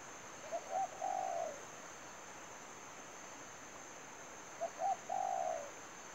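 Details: Decoy spotted dove kept for trapping, uttering two cooing phrases about four seconds apart, each a pair of brief notes leading into a drawn-out, slightly falling coo, with a constant high whine behind.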